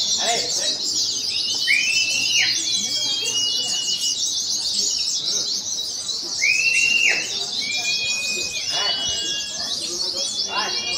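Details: Contest oriental white-eyes, wild-caught and in top singing form, fill the air with rapid high-pitched twittering, broken by occasional drawn-out whistles that bend downward, crowd noise faint below.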